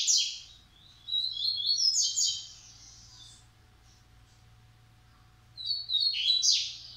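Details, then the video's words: Coleiro in Massai and baiano style, kept at a Maranhão breeding facility: two bursts of high, fast chirping and slurred notes separated by about three seconds of near silence. "Coleiro Massai x Coleiro baiano"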